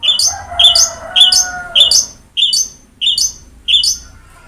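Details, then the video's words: Long-tailed shrike singing in a recording meant to make a quiet shrike sing: evenly spaced sharp, falling notes roughly twice a second, over a faint humming tone at first. "BURUNG CENDET GACOR| Masteran Wajib Untuk Burung Cendet Malas bunyi"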